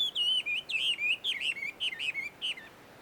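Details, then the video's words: Wild Chinese hwamei at a shrine in a small wood in Joso, Ibaraki, Japan: bright, fluty warbled phrases tumbling rapidly, about a dozen wavering whistled notes over three seconds before falling silent. "ガビチョウの鳴き声鳴き声。suara merdu Poksai di alam liar!"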